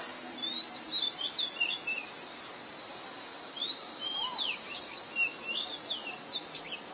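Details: Oriental magpie-robin (Copsychus saularis), a very common resident, recorded with a Nikon P1000 at Ubon Ratchathani, Thailand, on 20 March 2022: scattered short, thin whistled notes and quick sweeping slurs over a loud, steady, high insect drone.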